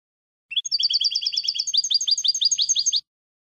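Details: Tutor recording of European goldfinch song for training young birds, without endings: about two and a half seconds of continuous rapid twittering, bright high notes repeated quickly in two shifting series.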